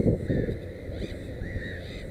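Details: A black-headed gull by a nest holding three chicks gives a couple of short, harsh, down-curving calls. The calls sit over deep, continuous background rumble.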